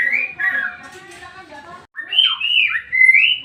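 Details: White-rumped shama song for triggering another shama to sing: a blurred whistled opening, a brief pause, then sweeping rising and falling whistles ending in a level note.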